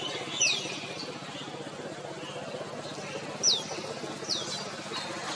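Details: Male crimson sunbird (Aethopyga siparaja) calling: three thin, high, sharply descending chips, spaced a second or more apart, over a steady background hiss.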